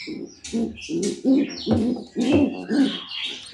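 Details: Pigeons at hatching eggs: low, throaty cooing pulses, each short and rough, repeated roughly twice a second, with faint higher chirps and squeaks from other birds in the background.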